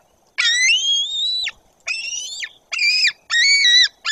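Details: White-tailed eagles at the nest in Bory Tucholskie as a parent arrives: five short, arched, rich-toned whistled calls in quick succession, about one per second, loud and close, with little else audible.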